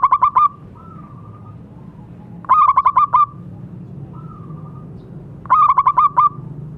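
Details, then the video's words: Local zebra dove singing actively, used as therapy to get silent doves singing: three phrases about three seconds apart, each a quick run of staccato pulsed coos ending in a long, lower, drawn-out coo, over a quiet low hum. "Perkutut lokal gacor suara bagus untuk terapi yang macet bunyi."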